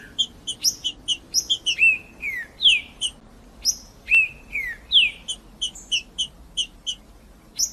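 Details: Green-winged saltator recorded in the wild, played to stimulate and warm up captive birds. Clear whistled notes slide downward, mixed with repeated sharp high chirps at a steady pace. A low background hum runs throughout.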